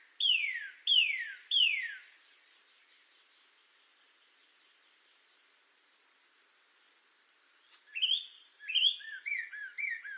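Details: A northern cardinal gives three loud, clear whistles that slide steeply downward about once a second, then softer rising slurred notes, over a steady high hum of insects.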